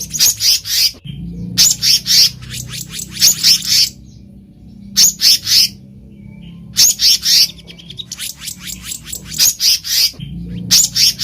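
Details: Black-naped monarch in natural surroundings, uttering grouped bursts of harsh, high chattering notes, three to six in quick succession, with pauses of a second or two between groups and a low background hum.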